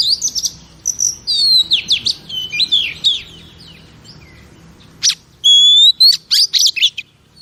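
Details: Caged female oriental magpie-robin singing to stimulate males: varied warbling whistles and sliding notes, a short pause, then a rising whistle and sharp chirps.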